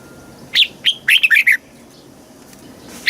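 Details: Red-whiskered bulbul from Thailand, southern master-style song, played to excite birds and teach young birds: two lone whistled notes, then a quick warbled phrase of about five bright notes, and one more note at the end.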